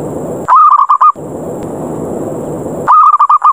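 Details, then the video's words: Zebra dove lure call meant to challenge other doves to fight, in the ngerot ngayer style: two bursts of rapid, pulsed cooing notes in a steady mid pitch, separated by about two seconds of steady hiss. "SUARA PIKAT PERKUTUT NGEROT NGAYER NGAJAK TARUNG"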